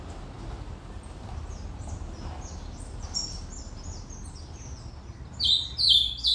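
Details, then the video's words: Ultramarine grosbeak singing: soft, distant warbled phrases run high throughout, ending in a sudden loud burst of sharp, bright notes over a steady low background hum. "Reinamora cantando ( Azulao cantoria)"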